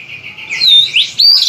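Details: Oriental magpie-robin giving a brief song fragment: a low steady tone, then two loud sweeping whistled phrases rising and falling.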